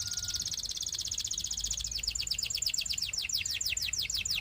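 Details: A Belgian canary sings a dense, very fast high trill that shifts into a quick run of repeated downslurred chirps, accelerating slightly; faint background hiss.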